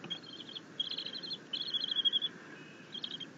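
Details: A bald eagle eaglet happily chittering as it is fed a fish by its mother, 6.9.21. Short high bursts, a long trilled run in the middle, then a quiet gap and a brief final chitter.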